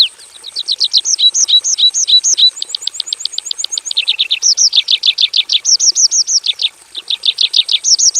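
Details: Javan bush lark singing hard in a simple aviary, with imitated fill-in phrases: fast runs of repeated arched, rise-and-fall high notes, about three per second, switching into rapid down-slurred series and a brief thin trill.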